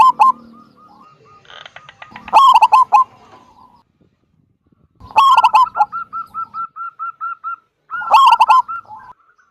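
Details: Zebra dove, local wild bird with a big 'kung' voice, singing to prompt other doves to sing. Three loud harmonic coos a few seconds apart, the middle one followed by a row of quick, even notes.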